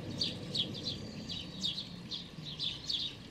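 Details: Hungry young sparrow with unusually pale, almost white feathers, observed 16 May 2019, begging with short high chirps in clustered bursts of two or three, several bursts over three seconds, against a low background rumble.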